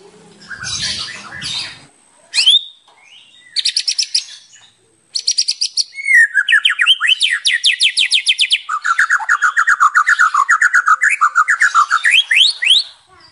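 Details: White-rumped shama in lively full-repertoire song, used as a lure: a harsh low opening burst, brief high buzzy trills separated by pauses, then a long run of rapid repeated notes, first rising and later lower and warbling.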